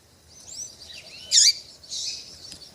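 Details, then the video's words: Female double-collared seedeater calling to stir a male into singing: thin high whistled notes sliding up and down, then a loud buzzy burst near mid-clip and a harsher rasping note after it. "MELHOR PIADO DE FÊMEA PARA DEIXAR SEU PAPA-CAPIM DOIDO PARA CANTAR LOGO!"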